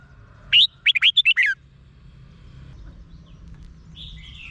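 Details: Red-whiskered bulbul song from Thailand for exciting caged birds: one fast, emphatic phrase of about six sharp whistled notes, the first rising and the last falling, followed by a faint warble from another bird.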